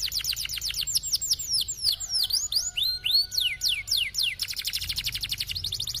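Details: Canary song intended to prompt other canaries to sing and roll: dense fast trills, descending and rising swooping whistles with faint steady tones beneath, ending in a rapid rolling rattle.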